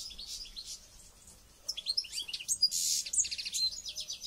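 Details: Contest-trained European goldfinch singing an energetic jumble of very high chirps, buzzy notes and rapid twitters that grows louder and denser after a short quiet spell.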